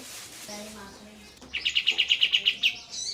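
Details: Kapas tembak (sooty-headed bulbul) with trickling water behind it. After a subdued opening of soft low notes, the bird delivers a fast rolling run of about ten sharp, bright chirps in the 'ngeroll tembak' style, then a final higher note.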